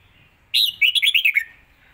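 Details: Red-whiskered bulbul kept as a caged singer, performing a rapid contest song phrase: a strong rising whistle, a short pause, then a fast chain of about six warbling notes sliding lower.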